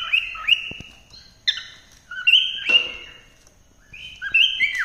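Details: Melodious cockatiel song: clear, level whistles broken by quick upward and downward slurs in short separated phrases, with a soft scratchy note partway through.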